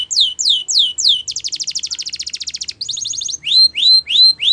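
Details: Singing canary of the Spanish Timbrado type used for training: a few falling whistled notes, then a fast even metallic roll, a shorter higher trill, and rising slurred whistles repeated at a steady pace.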